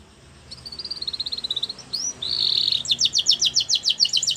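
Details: Canary singing for training young canaries: soft rapid trilled notes, a single slurred whistle and buzzy roll, then loud steady repeated chips about four per second, over low background noise.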